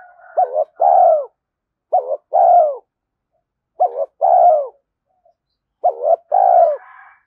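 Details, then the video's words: Fast spotted dove cooing meant to attract wild doves: four regular phrases, each a quick dipping double note followed by a longer falling coo, about one every two seconds. "Tiếng cu gáy thúc gù tốc độ/ cu gay kich boi nhanh noi gù"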